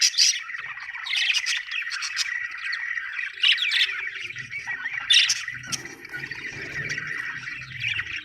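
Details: Budgerigar chirping described as happy: rolling, buzzy warbled chatter with occasional sharp high squeaks around one and five seconds, and faint low noise in the second half.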